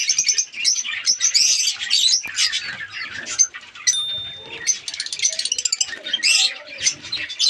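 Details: Budgies in a breeding colony, bursts of squeaky chirping and warbling broken by short quieter gaps, with a clear thin whistle near the middle and a run of rapid clicks toward the end.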